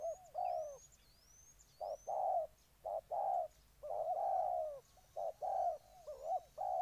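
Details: Spotted dove cooing in Ninh Thuận, Vietnam: low mellow coo phrases in paired and grouped notes, irregularly spaced, while a thin high whistling bird calls faintly overhead at the start.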